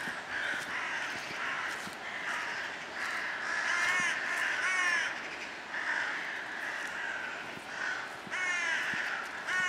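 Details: Crows cawing, harsh grating caws in bursts roughly every second, several birds overlapping, with some higher chirps from other birds and steady outdoor background noise.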